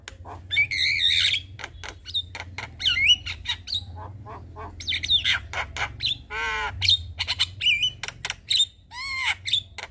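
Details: Evening Javan myna song meant to teach young mynas: harsh nasal squawks, wavering whistles and a buzzy harmonic rattle, interspersed with quick clicks over a low background hum.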